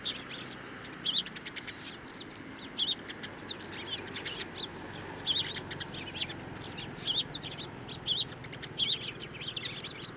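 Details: Eurasian tree sparrows coming to a hand to be fed at a Tenmangu shrine on 9 December 2023; short, sharp chirps in separate bursts about every second or two, over a steady low background hum.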